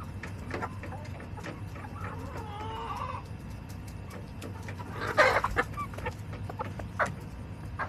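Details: A backyard hen flock on July 18, 2024, soft drawn-out clucking early, then a sharp loud squawk burst and scattered clucks, with low background hum.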